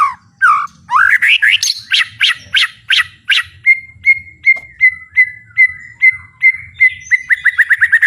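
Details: White-rumped shama (murai batu) singing at full volume with fighting spirit, 'tembakan' style: slurred descending notes, then a steady run of short repeated whistled notes that speeds up into a quick series at the end.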